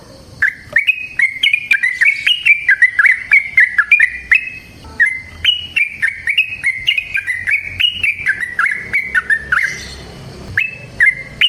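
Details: Yellow-vented bulbul singing vigorously in its natural habitat in a long run meant to lure other trucukan: dense, bubbling chirps in two extended phrases separated by a short pause, with light background noise.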